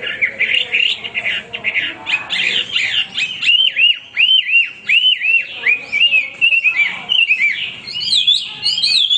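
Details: Male hwamei singing nonstop, loud varied whistled song of rising and falling slurred notes repeated in quick bursts, ending with higher chattering phrases.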